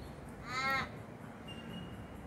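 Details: Crow or raven visiting a garden and gazing toward the house, uttering a single short, harsh, nasal caw against a quiet, steady background.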